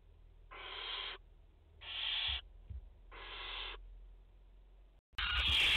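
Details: Three even, drawn-out hissing screeches, each near 0.6 seconds, from barn owls nesting in France, a mother with four chicks, 30 August 2021, followed by an abrupt loud rustling burst at the end.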